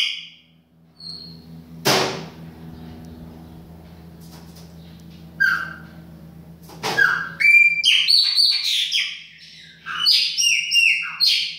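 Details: Baianinho-style chopi blackbird in a kitchen, mostly quiet at first with a faint high note and a sharp knock, then a rich run of clear whistles, slurred descending notes and chatter over a constant low hum.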